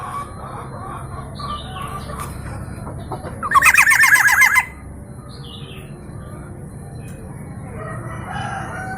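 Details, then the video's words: Black-naped oriole of local East Java stock, praised for many sound variations; a single loud, fast, grating rattle of rapid notes stands out midway, with faint thin chirps before and after over low hum. "KEPODANG LOKAL JAWA GACOR VARIASI BUNYI BANYAK"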